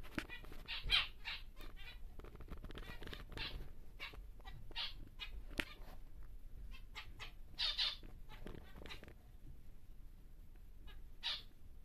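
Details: Normal grey male zebra finch, large-bodied and caged for breeding, sings clear nasal buzzy notes in spaced bursts, some doubled, with a quiet room background and occasional clicks.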